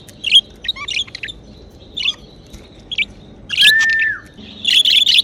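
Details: Chirping pet budgies in a happy mood: quick squeaky chirps and warbles, then a loud burst and a sustained falling whistle, followed by more scratchy chatter.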